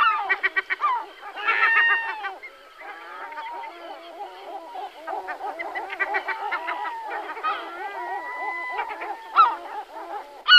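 Herring Gulls give harsh, nasal yelps in quick bursts, mixed with long, drawn-out mewing wails. Several birds call over one another, like a busy colony.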